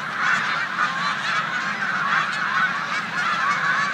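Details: Migrating snow geese mixed with Canada geese in a corn field on Olmstead Road, Savannah, New York, in March 2020. Hundreds of yelping honks overlap into a steady, roaring chorus with no pauses.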